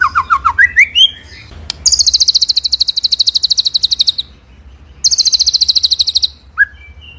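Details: Ngerol nembak singing of a white-rumped shama (murai batu) in masteran form: a few falling whistles lead into a long, steady, very high machine-gun trill, a pause, then a second trill and one short whistle.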